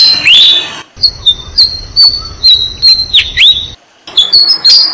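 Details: Six-day-old Malaysian pied fantail chicks, fed by their parents in a jam tree, give thin, high squeaks, some sliding downward, in quick bursts several times a second with brief pauses.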